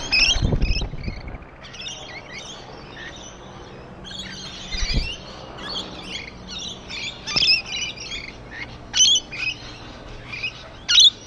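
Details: Rainbow lorikeets on a wall twitter softly in a thin, scratchy murmur, broken by occasional sharper shrieks standing out toward the end, with low thumps early on.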